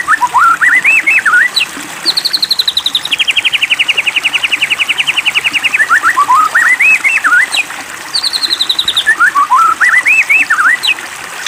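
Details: Lure song of a white-rumped shama for stirring a caged shama to sing: looping whistled phrases alternating with long, fast, evenly pulsed trills, repeated in a cycle.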